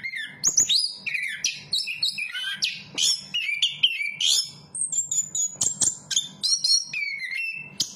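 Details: Chestnut-capped thrush, known locally as anis kembang, pouring out a long varied song of sweeping whistles and quick chirping notes, richly modulated and nearly continuous.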